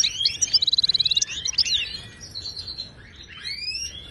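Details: Wild Moroccan goldfinch song used for tutoring caged birds. It opens with a rapid string of about a dozen identical clipped notes, then breaks into slurred, rising whistles and twitters that fade out.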